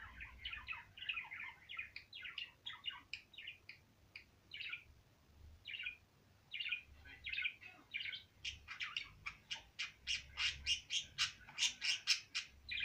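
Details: A female budgerigar warbles in quick, chattering chirps that grow louder and more rhythmic toward the end; she sings daily from four in the afternoon for an hour or more, while moulting.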